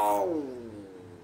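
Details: A common hill myna of the Bali form from Negare, Jembrana, gives a single rich, voice-like note that starts loud and slides steadily downward in pitch, fading over about a second.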